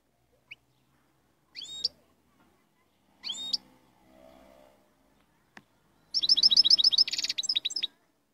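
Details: Moroccan royal European goldfinch: a few separate sharp, high upward-flicked call notes, then a brief, fast burst of tinkling, twittering song near the end.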